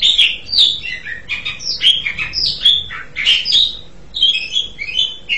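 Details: Song of the Asian pied starling: rapid varied phrases of whistled and rasping notes, sliding up and down, delivered almost without a break.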